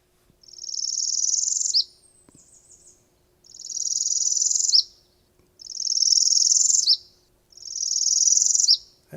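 Northern Parula singing four rising buzzy trills, each about 1.3 seconds long, ending in a sharp upward accent, repeated every two seconds.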